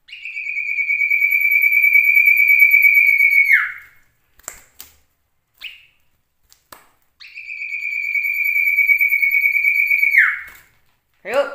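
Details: Caged male common iora trained with many imitated phrases, including canary and cililin, giving two long drawn-out level whistles, each over three seconds and ending in a quick downward slur, separated by short chips.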